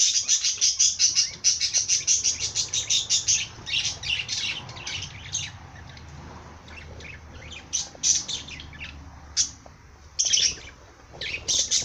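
A parrot gives a fast run of high, sharp chirps for about three seconds, then scattered squeaky notes and short warbled bursts.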